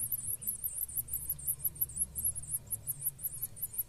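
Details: Blue-black grassquit chicks being fed by a pair of parents: a rapid series of very high, thin, wavy squeaks, about four each second, running without pause over a low steady rumble.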